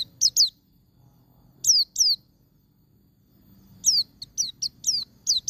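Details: High, thin downward-slurred white-eye notes in scattered pairs, then a fast cluster of short chirps; wild-style song meant to stir caged birds to sing, low hum behind.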